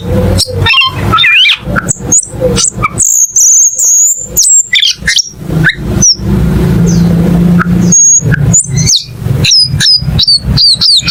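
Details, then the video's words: Cucak keling giving scattered sharp high whistles and squeaky chirps in short bursts, over a steady low hum. "MP3 BURUNG CUCAK KELING"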